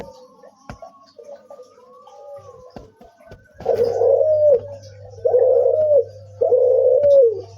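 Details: Puter turtle dove making a strange cuhu call: quiet murmured cooing first, then three loud, long hollow coos that drop at the end. A steady low hum runs underneath.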